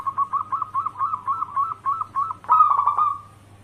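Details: Local zebra dove, a lure bird for drawing other doves at home, singing: about eleven quick bouncy cooing notes, then a louder harsh burst fading into a drawn-out coo, over a faint low hum.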